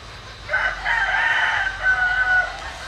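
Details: Crowing from a bantam cockerel bred from a Japanese bantam hen and Cuban father: one loud, hoarse, sustained crow lasting about two seconds, slightly wavering, over quiet background.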